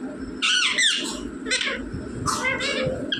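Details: Captive rose-ringed parakeet imitating mummy and papa: a few grating, nasal squawked syllables in separate bursts, the last pair rising in pitch, with quiet music and room noise behind.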